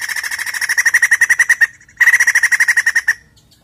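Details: Played to get a caged white-crested laughingthrush singing: two dense bursts of fast, harsh chattering notes, roughly eight a second, split by a short pause.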